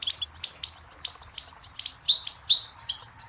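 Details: Singing goldfinch with sharp, high chips spaced about a quarter-second apart, some with a slightly buzzy, tinkling quality, over a quiet background.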